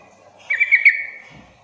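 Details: Sooty-headed bulbul lure call, played to make quiet untrained bulbuls answer back: one short bubbly phrase of three quick chirpy notes around half a second long, fading into a faint trailing tone, low hum beneath.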